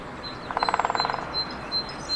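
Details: Lesser spotted woodpecker in the Ariège foothills, France, in April 2023, giving a quick run of about a dozen even, piping notes lasting under a second, over a faint high thin whistle in the background.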